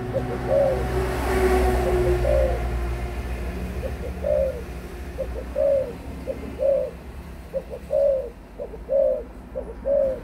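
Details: An adult spotted dove coos steadily, each phrase made of one or two quick soft notes and then a longer mellow falling coo, repeated roughly every second, with low background rumble.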